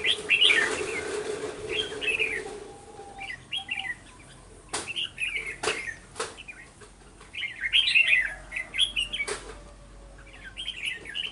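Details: Trapping scene from 11 November 2018 where a decoy red-whiskered bulbul draws wild birds: clusters of warbled, chirping phrases come in waves, broken by sharp clicks and rustles, with a faint low hum underneath.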